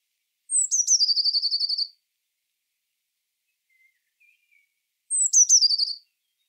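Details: Two identical Eurasian blue tit song phrases separated by about three seconds of near silence, each a high falling note, two sharp notes and a fast trill.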